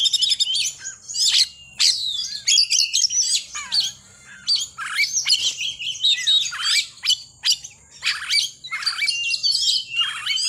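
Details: Oriental magpie-robin singing short, snappy bursts of high, scratchy chatter and piercing whistled notes, loud and close, with brief gaps between phrases.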